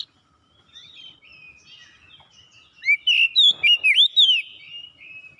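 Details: Singing in full, vigorous form to seek an opponent, an Oriental magpie-robin starts with soft, thin warbling, then bursts into about six loud, looping whistled notes in quick succession before trailing off.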